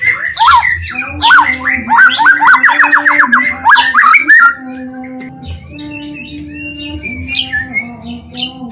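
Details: White-rumped shama lure song to provoke other shamas: a dense burst of rapid rising and falling whistles for about four seconds, then quieter, sparser high notes, all over a steady low hum.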